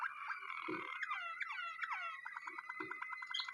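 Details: Waterslager canary singing: fairly low, sustained whistled tones with warbling bends and dips, broken by a few deeper knocking notes, ending in a quick, bubbling series of repeated notes.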